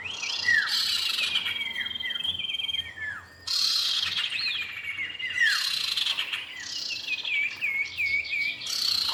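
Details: Common iora pair, male and female: repeated arching down-slurred whistles in quick runs, interrupted by loud raspy chatter bursts, then a looping series of rising-falling notes, lively and continuous.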